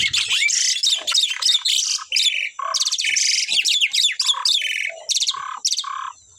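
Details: Asian pied starling pair in full song, continuous loud harsh chattering and rasping squawks interwoven with short whistled and buzzy notes, delivered in rapid uneven bursts throughout.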